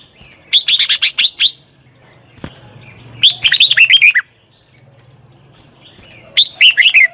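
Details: Red-whiskered bulbul, a wild-caught bird being trained, singing short bursts of bright, rapid warbled notes, each phrase about a second long, three phrases separated by pauses of roughly two seconds.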